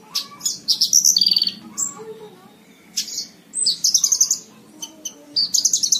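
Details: Horsfield's bushlark singing, meant for training cage birds: dense chattering trills, buzzy rattles and sharp high whistled notes in rapid succession, broken by brief pauses, low hum underneath.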